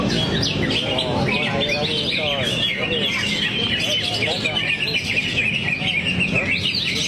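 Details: Greater green leafbird delivering its song repertoire in a continuous stream of quick chirps, slurred whistles and warbled notes, while a man speaks in the background.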